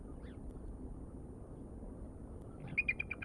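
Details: Bald eagles on a live nature cam at Decorah, recorded 09/03/2022 at 17:06; after a steady low hum, a quick burst of about six high, thin piping notes, chattering and evenly spaced, closes the recording.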